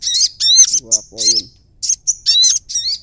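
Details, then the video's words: Prinia calls from Indonesia linked to bird trapping: quick high arched chirps and buzzy bursts in fast sequence, interrupted briefly by a lower nasal harmonic sound, then more high chirps. "prenjak bawah"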